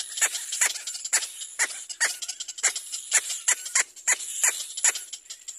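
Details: Hungry little black cormorant chick calling for its mother to feed it: a steady run of roughly fourteen harsh, downward squawks, two or three a second, with high hiss behind.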